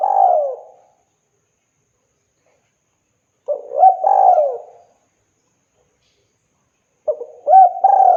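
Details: Spotted dove singing energetically to call a female. Soft, mellow coos in short phrases: a quick stuttered start, then a longer falling coo, with phrases spaced a few seconds apart in otherwise quiet surroundings.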